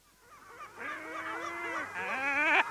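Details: Lesser black-backed gulls in a colony on Walney Island, Cumbria, recorded close up giving mew and long calls; several harsh, nasal wailing cries overlap and rise in pitch, building to a loud, strained peak near the end.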